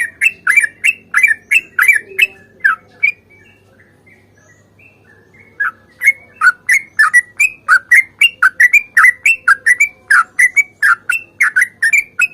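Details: Sooty-headed bulbul, in a chatty fighting song with a long rapid series, the kind played as a lure to set other birds singing: bright slurred notes repeated about three a second, a pause of some seconds, then an even longer run.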